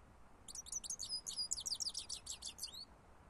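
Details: European goldfinch song, a lively high twittering run of rapid tinkling chirps and short buzzy notes, closely packed for about two and a half seconds over faint steady background hiss.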